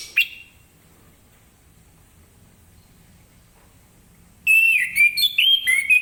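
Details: Morning song of an orange-headed thrush, used to draw other birds into song: after a long quiet stretch, a single note is followed by a burst of loud, varied whistled phrases that slide up and down.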